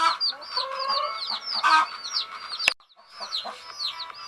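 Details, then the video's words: Sleeping baby chickens chirp in a crowded flock, high quick peeps overlapping, then a sharp click followed by a short near-silent pause before the peeping resumes more softly. "Fun Sleepy "Chicks Chirping" Sound of Gallina Babies"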